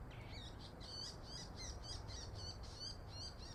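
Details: Daurian redstart, a winter bird newly arrived at Kyuhoji Ryokuchi park and still wary: a rapid run of short, high chirping notes, about ten in under four seconds, over a steady low rumble of background noise.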